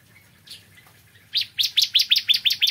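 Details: Bar-winged prinia singing in the morning: after a few soft notes, a loud run of about nine sharp, evenly spaced chirps, each a quick high descending stroke, repeated several times a second.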